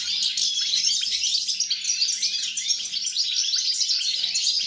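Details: European goldfinch in full song on 29 December 2022. Fast, jingling twitters pour out in an unbroken stream, bright and high, over a faint low hum.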